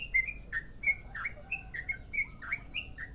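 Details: Merapi-type sooty-headed bulbul with a long rolling song, giving bubbly whistled notes that rise and fall in quick succession.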